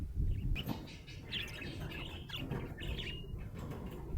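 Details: Happy budgerigar chirping: a few short, bright chirps and squeaky twitters spread across four seconds, fairly soft over a steady low rumble of background noise.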